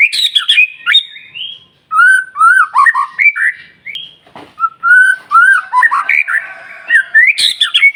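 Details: White-rumped shama singing steadily, song used to provoke other shamas into singing; loud clear whistled phrases, sliding notes and rising slurs with sharp high chips, phrases repeating roughly every few seconds.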